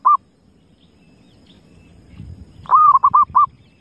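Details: Wild zebra dove: the tail of one coo at the start, a quiet stretch with soft low rustling, then a full phrase of a long coo and three rapid short coos.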